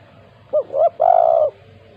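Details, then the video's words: Spotted dove calling in the lively 'kuk 2' style used to prompt lazy doves: two brief hooked coos followed by one long, steady, falling coo, with a faint low hum behind. "tekukur GACOR KUK 2 untuk pancingan tekukur malas bunyi"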